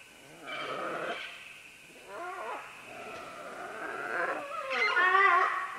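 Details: Green-winged macaws, several together, call while descending along vines, recorded medium close: rough, nasal squawks with rippling harmonics, a growly call in the middle and a loud, grating screech toward the end, over faint hiss.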